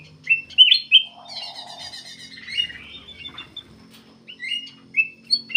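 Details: Black-capped bulbul in persistent song, used to lure other birds: clear looping whistles up front, a low buzzy trill with high chatter, then spaced bright whistled notes.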